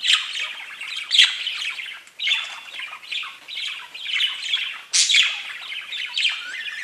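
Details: Chirping pet budgerigars in a steady, noisy flow of rasping squawks and chirps, nearly one per second, with sharp louder notes cutting through the chatter.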